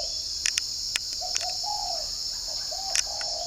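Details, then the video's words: Spotted dove from a bird farm in Ba Vì, Hanoi, cooing in the morning: two low phrases of soft, rounded notes, the second note of each stretched out. Persistent cricket chorus and a few faint clicks are also heard. "nghe em này gáy"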